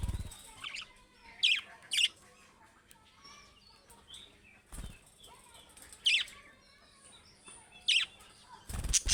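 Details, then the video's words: Budgerigars, Australian parrots, give scattered short sharp chirps, single and in pairs, with quieter warbling chatter between and a few soft thumps. "Beautiful Budgie Beautiful Australian Parrots Natural Sounds"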